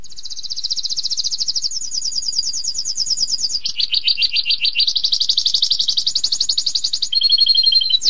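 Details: Canary singing long, sharp 'tembakan' style phrases: a continuous high trill steps down in pitch to a coarser lower roll, rises again into a fast bright trill, and ends on a steady two-toned rattle.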